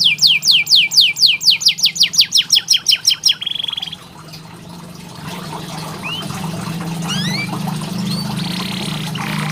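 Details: Canary training song for birds reluctant to sing. A rapid rolling trill of falling notes lasts over three seconds and ends on a brief buzz, followed by quieter sporadic chirps against steady background noise and a low hum.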